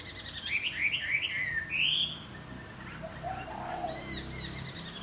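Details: In the morning a wing-flapping Chinese hwamei pours out a burst of loud, rapid warbled whistles, then softer lower notes and a final cluster of high chirps.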